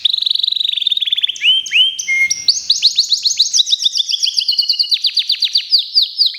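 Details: Local canary kept for singing contests delivers a fast, high-pitched song: an opening rapid trill, a short pure whistle, then continuous rolling series of downward-swept notes repeated many times a second.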